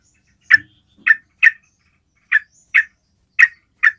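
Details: Yellow-vented bulbul luring call meant to draw other bulbuls: seven brisk, clipped chip notes, some in quick pairs, with a soft low thump under the first two notes and quiet gaps between them.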